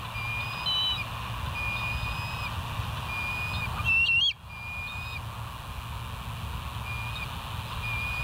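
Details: Bald eagle at West End, live camera recording at 05:05 on 21 July 2023; faint high whistles early, then one brief loud piping call with wavering pitch near the middle, against a persistent low hum.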